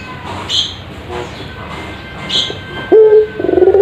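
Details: Puter pelung dove, a caged ringneck dove used as a master recording for training other doves. After near-silence, a loud coo begins late with a short warbled note, then trembling pulses rising into a steady tone. Faint high chirps sound earlier.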